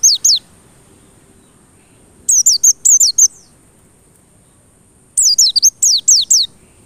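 A white-eye sings bursts of high, rapid, sweeping twitters in clusters of three to four notes, with quiet pauses between bursts; faint low background noise.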